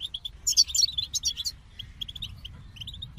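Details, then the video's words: A goldfinch sings a short sparkling flourish of rapid high trills, then continues with a few separate, lighter chirps, against a faint low background rumble. "The Captivating Call of Goldfinches"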